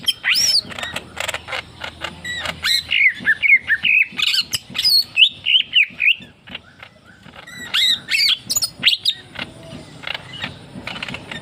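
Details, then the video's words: Leafbird singing energetically in a relaxed 'tembakan' style: a long, varied stream of fast chirps, high sweeps and warbled whistles with short pauses, repeated several times a second, and a brief quieter gap midway before the song resumes. "TEMBAKAN SANTAI BURUNG MURAI DAUN GACOR"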